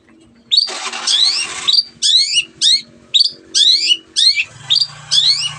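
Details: Cendet in full gacor song for prompting quiet birds to sing: a dense, scratchy burst followed by repeated chattering phrases of falling, rasping notes about every half second, with a low hum near the end.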